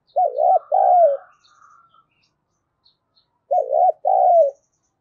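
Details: Decoy spotted dove cooing as a lure for other doves: two phrases, each a mellow wavering double hoot then a long descending coo, with a soft buzzy hum trailing after the first phrase.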